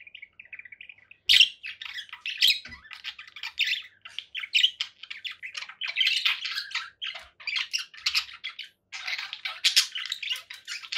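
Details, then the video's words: Conure parakeets giving dense, harsh squawks and chattering chirps almost continuously, bursts repeating every fraction of a second with brief pauses, a softer twittering at the start. "relaxing conure parakeet sounds"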